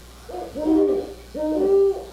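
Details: Great horned owl giving its typical hoot: two deep, soft hooting phrases, each a few muffled notes ending in a longer steady hoo, about a second apart.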